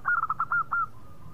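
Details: Brief phrase from a local zebra dove: six quick purring coo notes, the last two longer and slightly falling, fading into a thin sustained tone.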